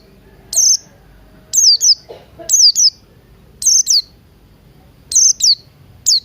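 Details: Buxton's white-eye in morning full song, used as a lure to get other white-eyes singing, mixed with Crested Jay sounds: high, thin downslurred whistles, mostly in pairs, repeated roughly once a second over a faint low rumble.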